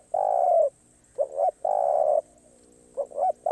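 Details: Karom pa roi style song of a spotted dove. Long steady coos alternate with quick double notes that lead into each phrase. The recording is clean, with no other sounds.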